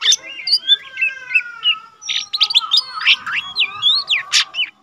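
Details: A not-yet-trained lesser green leafbird (cucak ijo mini) singing diligently, a rapid, varied run of sweet whistles, sliding notes and sharp chirps, high-pitched and continuous, with a steady faint tone underneath.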